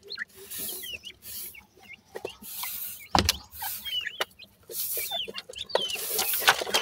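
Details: Grey francolin chicks, or desi teetar, feeding at their nest make high, curving cheeps at an uneven pace over steady hiss and occasional sharp knocks.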